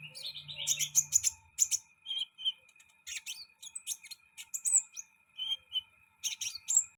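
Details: Sunbird giving a quick, high twittering song of clustered chirps and short descending whistles. A brief low hum sounds at the start, then only a faint steady high tone remains.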